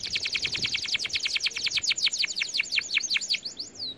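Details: Canary for training canaries: a quick series of bright descending chirps, about eight per second, slowing slightly toward the end.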